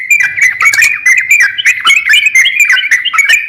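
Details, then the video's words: Crocokan singing energetically, a master recording for training songbirds: rapid chirpy notes repeated about four times a second, each dipping and rising around a steady pitch, with a faint low hum beneath. "crokcokan gacor siap jadikan masteran kicauan"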